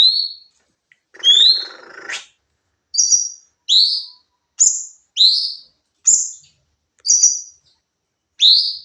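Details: Sooty-headed bulbul song from a training recording: a short rustle, then a steady series of upslurred and high flat whistled phrases, one roughly every 0.7 seconds.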